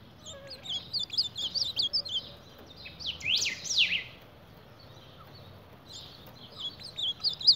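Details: An ultramarine grosbeak battling its reflection in a mirror utters bursts of high chirps, then a loud rasping sweep, a pause, and more twittering.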